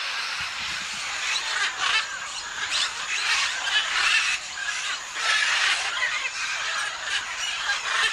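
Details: Scarlet macaws and blue-and-gold macaws gathered at a clay lick in Tambopata, a dense chorus of harsh, raucous squawks overlapping continuously, with bursts swelling and fading throughout.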